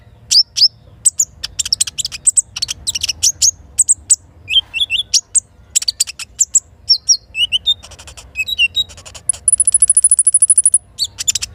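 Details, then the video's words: Morning song of a little spiderhunter (sogok ontong) with kinin fill: varied high chips and slurred whistles, then a long, rapid, level high trill lasting over a second. "Terapi Sogok Ontong isian kinin Pancing Gacor Pagi Hari"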